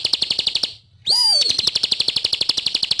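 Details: Energetically singing Bar-winged prinia: a quick run of high repeated notes stops, then a clear ringing whistle launches a new rapid, steady trill of sharp chips.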